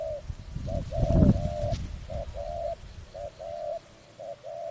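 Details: Spotted dove cooing at a trapping site, short note then longer soft coo repeated in pairs, with loud low thumping and rustling noise near the start.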